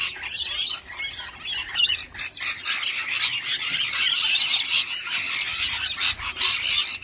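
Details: Rainbow lorikeets defending their food bowls from encroaching cockatoos: a steady wash of shrill, rasping screeches and squeals, overlapping and nearly unbroken throughout.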